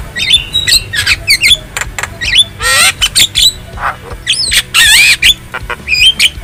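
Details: Wild black-winged starling singing, used as a master recording to train caged birds: loud harsh squawks mixed with rising and falling whistled notes and buzzy bursts, delivered in irregular rapid phrases.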